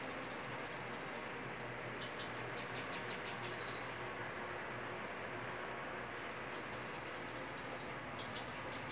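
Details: Bananaquit singing duel, with three separate bursts of rapid high, thin, chattering notes, each phrase lasting about a second or more and separated by quiet pauses.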